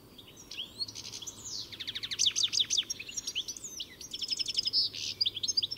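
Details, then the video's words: Song of a European goldfinch: rapid high twittering with rattling trill bursts and sharp upslurred notes, continuous and lively, with a faint low hum underneath. "Самая красивая песня щегла (Аудио) Как поёт щегол? Пение птицы щегол Песня щегла"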